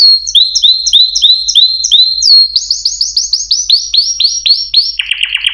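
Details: Canary song of repeated downward-sweeping whistled notes, about four per second, quickening into a run of slurred chirps and ending in a low rapid rattle.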